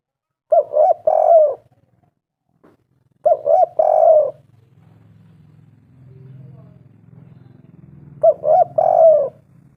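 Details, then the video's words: Spotted dove coos on a lure recording to make doves call: three three-part phrases, the second and third separated by a stretch of low, murmuring background sound. "tekukur derkuku gacor suara mantab"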